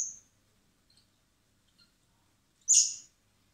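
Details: Begging by hand-fed common blackbird chicks at a wildlife recovery centre in spring: a brief high squeak, faint tiny ticks, then one loud hissy squawk near the end.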